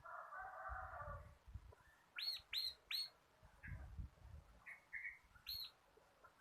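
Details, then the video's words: Quieter recording of a local crystal cotton bar-winged prinia singing for cage-bird training. Three arched notes come in close succession, then scattered short chirps and one more note. There is low rumbling background noise. "BURUNG MASTERAN CIBLEK KRISTAL GACOR / CIBLEK LOKAL KAPAS SUARA NGEBREN"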